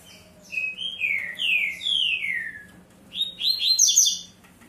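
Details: Captive double-collared seedeater giving tui-tui zel-zel style song: three long, slurred whistles sliding downward, a short pause, then a dense burst of buzzy, chattering high notes over a steady low hum.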